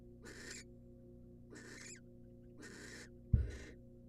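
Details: Wild barn owl, the female, at a nest box as the male brings a rat: three breathy rasping screeches about a second apart, then a loud thump overlapping a fourth.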